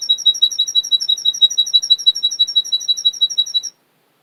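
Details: Captive male Russian canary, kept by a Miami, Florida breeder, delivering fast, evenly spaced high tweets in a tight trill for nearly four seconds, then stopping abruptly into silence.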